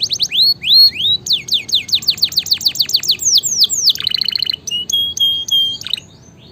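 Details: Loud canary song for tutoring and provoking a reluctant singer: upswept and downslurred whistles repeated in fast series, then a rapid rattling trill and a few flat clipped notes.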